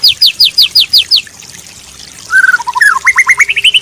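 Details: White-rumped shama in a training recording with fancy fill-ins: a run of high sweeping chips, a brief quiet gap, then lower warbled notes rising into quick repeated whistles.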